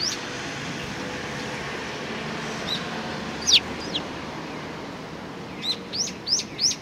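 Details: Several sparrows on 15 October 2018 give scattered, thin, sharp chirps, isolated at first, then four quick chirps bunched together at the close, against a steady low background rumble.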